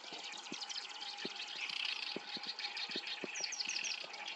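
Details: In Japan, where it comes to breed in the warm months, a black-browed reed warbler delivers a dense, high, buzzing and twittering song, with a few clearer whistled notes near the end.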